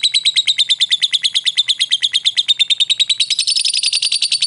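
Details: Lovebird chattering, offered as a lure to draw a quick response from fighter lovebirds in the 'ngetik ngekek' style. Loud, buzzy notes repeat rapidly without pause and become higher and harsher toward the end.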